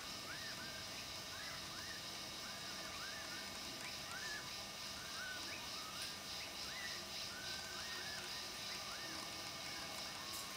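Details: Malayan partridge in Malaysian rainforest giving repeated rising, whistled notes, roughly one a second and sometimes overlapping, over a loud, steady, high-pitched insect chorus.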